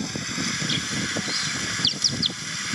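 A Eurasian Tree Sparrow gives a few short, high chirps, three close together near the end, over a steady rumble of outdoor noise.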